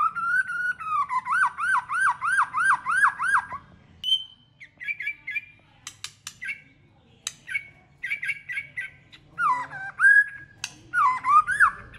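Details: Many-voiced White-rumped shama song for competition: a fast series of repeated rising-falling whistled notes, then chattering short notes and clicks, closing with swooping whistles.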